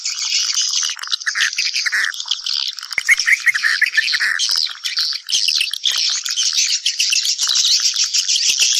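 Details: Massed swiftlet calls meant to summon companions to nest: a continuous bright twittering of quick chirps and trills that stays steady and loud from start to finish.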